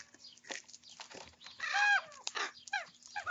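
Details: Young common raven squabbling over breakfast food; a strong arched croak peaks midway, followed by shorter harsh calls and fragments against rustling noise.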